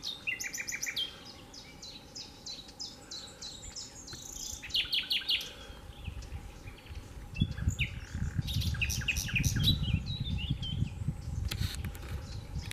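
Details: Nightingale singing a varied song of short whistled phrases, rapid trills and stuttered notes, each phrase changing pitch and pattern, over a steady low rumble that grows louder in the second half.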